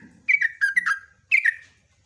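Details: Sooty-headed bulbul giving two short bursts of liquid, slurred whistled notes, the first phrase four notes long and the second shorter, with a brief low rumble at the start.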